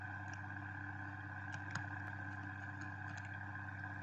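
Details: A steady electrical hum and faint scrapes from inside a nest box, with no animal voice heard.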